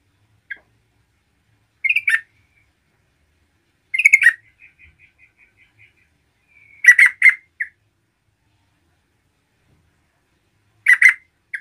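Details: Lively yellow-vented bulbul singing to excite rival bulbuls: short gurgling, chattering phrases every two to four seconds, with a thin run of soft whistled dots between the phrases.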